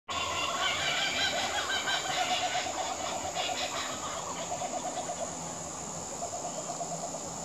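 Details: Kookaburras laughing at sunset on a summer evening in Queensland: a raucous, rolling chorus of rapid chuckles that builds then slowly fades, with a steady high insect hiss behind.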